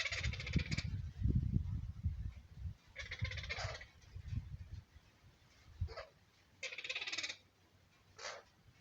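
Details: Mother parrot squawking at a nest in a house roof on 29 September 2019, with chicks said to trill; harsh, broad, noisy squawks in bursts of about half a second, repeated several times over a low rumbling background.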